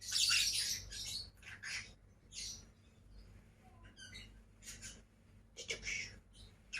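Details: Two pet lovebirds: a loud harsh screech opens, followed by scattered short chirps and squawks of varying pitch with pauses between.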